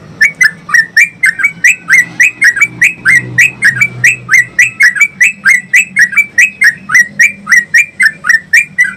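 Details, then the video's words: Yellow-vented Bulbul (trucukan) in long 'ropel' song style, used as a training and prompting recording for caged birds. Rapid, steady series of bright, slurred chirps near the same pitch, about four per second, with faint low hum beneath. "Pancingan dan masteran trucuk ropel panjang"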